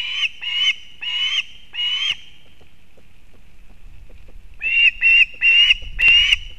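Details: At a nest in Kurzeme, Latvia, 31 August 2024, a female osprey brings fish to her chick: four loud shrill whistles, a brief lull, then a faster burst of piercing chirps with low rumbling underneath.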